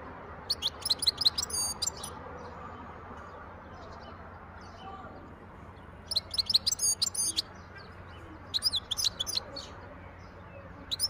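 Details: Wild European goldfinch recorded in 2023, singing in three separate bursts of rapid, high, tinkling twitters mixed with short trills, separated by quiet pauses of several seconds, over a low continuous hiss.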